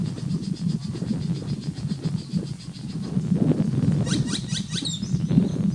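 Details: A male great-tailed grackle calling from a tree at Mather Lake Regional Park gives a dry, fast rattle, then a few sharp, rising whistles in quick succession over a steady low rumble.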